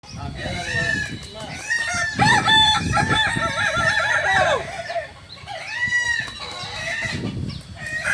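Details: Kokok Balenggek roosters at a joint crowing-training session in Ampang Kualo, Solok, West Sumatra; several birds give long, stepped, multi-note crows that overlap and rise and fall, with a short pause before further crowing.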